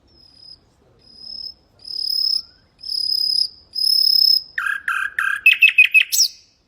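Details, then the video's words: Common nightingale song used to train goldfinches and canaries: long, pure whistles swelling louder with each repeat, followed by a burst of harsh, stuttering notes and a rising slur. "تغريد طائر العندليب الحسنية لتعليم طيور الحسون والكناري بدون أخطاء"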